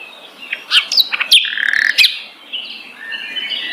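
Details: Sikatan londo flycatcher singing one of its varied song types: a quick series of sharp, high whistled notes and short slurred chirps, then a sustained buzzy phrase and softer warbling continuing to the end, over faint background hiss.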